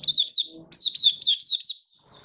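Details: Hobby-kept Malaysian white-eye singing in Singapore under warm sunny skies, 20 March 2023: clear, high, bouncing slurred notes in two rapid bursts, ending on a softer thin trailing note.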